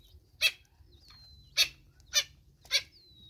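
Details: Natal spurfowl hen with chicks in South Africa: four harsh, scratchy bursts, with thin, slightly falling whistles between them.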